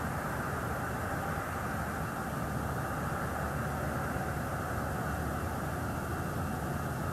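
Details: Constant broadband roar like wind or passing traffic, with no animal voice present.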